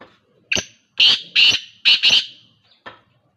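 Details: Black francolin calling in open ground, a loud harsh rhythmic series of about five grating, clipped notes, the middle pair run together, followed by a fainter final note.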